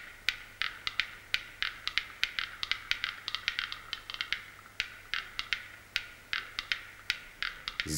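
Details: A Black-billed Capercaillie displays at a lek in taiga on the southern spurs of a plateau at the onset of evening dusk, giving sharp, dry clicks at an uneven pace, several a second in bursts, over a quiet background.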